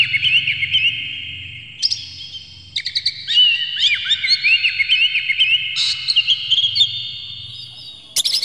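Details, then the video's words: An emotional Oriental magpie-robin with a fanned tail sings steady whistles, then breaks into looping, slurred notes and sharp chips repeated about twice a second, ending in a harsh burst, over a low hum. The song is meant to provoke other magpie-robins. "dijamin kacer langsung ngamuk2 dengar kacer ini bongkar emosi buka ekor ngobra full isian"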